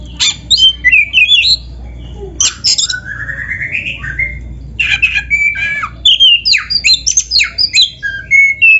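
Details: Kacer dada hitam, the black-breasted magpie-robin, singing a gacor training song full of canary-like fills: rapid runs of varied whistles, slurs and chips that grow denser toward the end, with a low background hum.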